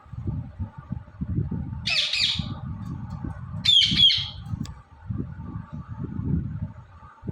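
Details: Indian ringneck parrot, talking and dancing, lets out two loud raspy squawk bursts a couple of seconds apart while steady low rumbling noise continues throughout.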